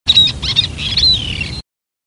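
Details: A Common Tern (Sterna hirundo) gives a harsh, grating warning call: a few rough high notes, then a drawn-out downslurred 'kee-arr' lasting about half a second.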